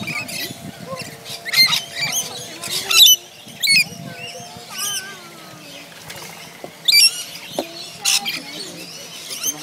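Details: Wild rainbow lorikeets crowding food bowls at a staff feeding session in Lone Pine Koala Sanctuary: shrill screeches and sharp chattering notes in irregular bursts, with wing flutters, a low steady hum and faint voices.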